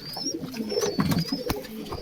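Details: Pigeons in cages coo in low, throaty, warbling notes, while small birds add thin high whistles and sharp clicks sound from the cages.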